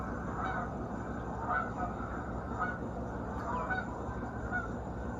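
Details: A flock of geese honking in flight at sunrise over a lake in South Georgia, circling back across the sky, with short nasal calls about once a second over a low rumble that includes background traffic.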